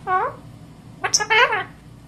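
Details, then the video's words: An Indian ringneck parakeet, a male, gives a short burst of squawky, speech-like talking with a bright whistled note, in a quiet room. "Indian Ringneck Talking"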